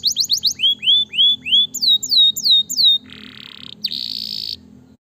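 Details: Canary singing to encourage lazy canaries: quick high chips give way to swooping, falling whistles repeated evenly, then a harsh buzzy roll and a bright, dense, high buzz to finish.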